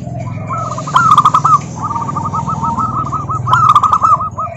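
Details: Local zebra dove song to draw other doves into singing: two accented bursts framing a long string of rapid, regularly spaced coo notes, over a constant low droning background hum.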